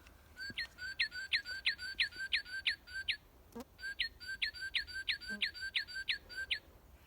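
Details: A male Northern Cardinal, a feeder visitor in winter and summer, sings two fast runs of clear, down-slurred whistles, about three a second, with a brief pause between. A couple of soft thumps are heard.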